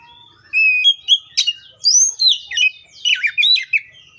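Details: Oriental magpie-robin, likely a kept songbird, singing a varied phrase of sweet whistles, sharp chirps and rapid up-and-down slurred notes in bursts about every quarter second, high-pitched and clean against a quiet background.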